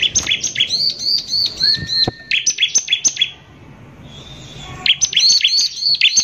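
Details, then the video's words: Bar-winged prinia, a prolific singer, giving a lure song with harsh shooting notes meant to provoke other prinias: rapid, high, sharp chirps in dense bursts, a brief lower whistle near the second mark, a short pause, then the chirping resumes. "PANCINGAN CIBLEK GACOR NEMBAK KASAR INI PALING BISA BIKIN CIBLEK EMOSI"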